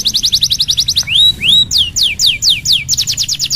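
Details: Canary song used as a lure to prompt a reluctant bird to sing: rapid high trills of sharp repeated notes, then slurred rising whistles and a series of steep descending sweeps, ending in another fast trill; low background hum.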